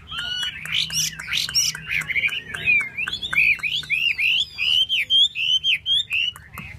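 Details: Chinese hwamei fanning and dancing its tail while singing loud, rich whistled phrases that slide up and down, with quick repeated notes and clear pauses between bursts toward the end.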